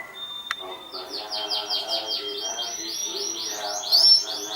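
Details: Champion canary from 2014 in song: a sharp click, then a long thin steady whistle under a fast rattling trill of repeated high sweeping notes, ending with a louder rising chirp.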